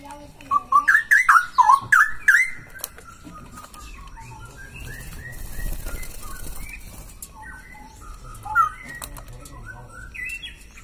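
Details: Loud song of a male straw-headed bulbul, actively singing: a burst of rich, bubbling, slurred whistled notes repeated rapidly for about two seconds, then a long stretch of low background noise with a faint later phrase.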